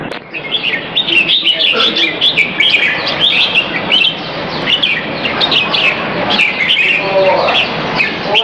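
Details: Caged red-whiskered bulbul being exercised at a bird arena on Serangoon North Ave 1, 22 February 2017, about 2:15pm. Bright warbled chirps and short slurred whistles repeat in quick, busy phrases throughout, with steady background noise and other birds.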